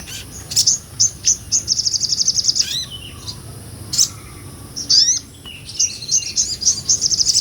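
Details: Sunbird in vigorous ngobra song, a real recording used to teach songbirds; fast pulsed high trills repeated in runs, broken by a few sharp downslurred notes, then resuming rapidly.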